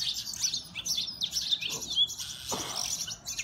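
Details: Oriental magpie-robins fighting, filmed on a mobile phone: a dense stream of high, sharp chirps, whistles and rapid scratchy notes overlapping without pause, with a low murmur of background noise.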